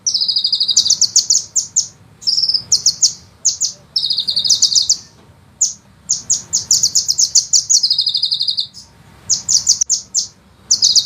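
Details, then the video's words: Sunbird recorded as master song for training cage birds, speedy and dense: shrill, high trilled phrases tumble one after another with only short gaps between them. "suara penghisap madu ngeroll nembak panjang"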